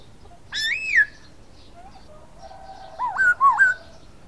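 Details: Silver-eared laughingthrush singing: a loud rising-and-falling whistled phrase near the start, then after a pause two looping whistled notes, clear and melodic, with a quiet background.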